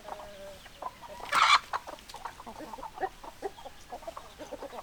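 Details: Chickens clucking in a flock, one loud harsh squawk breaking out early, followed by steady rapid overlapping clucks from several hens.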